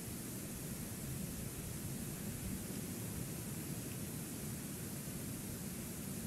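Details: Steady broadband hiss like wind and surf runs without a break, with no animal calls heard.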